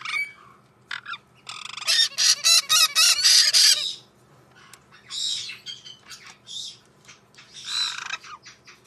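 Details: White-bellied parrot giving a loud burst of harsh, harmonic squawks in quick succession, followed by scattered shorter shrieks and chirps after a pause.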